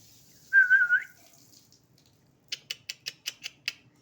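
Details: An angry pet parakeet gives a half-second wavering, warbled whistle, then a quick run of seven sharp, evenly spaced clicks about five times a second.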